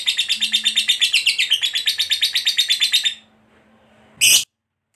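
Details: Fighter lovebird chattering in ngekek panjang style: three seconds of quick, shrill, pulsed notes that halt abruptly. A quiet hum follows, then one short, loud, harsh burst near the end.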